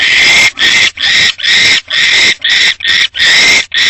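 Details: Wild barn owls at a nest box at night, 11:15 pm on 19 March 2025, as the male returns and the pair mate: harsh, hissing screeches repeated in rapid bursts of about half a second, with short gaps between them.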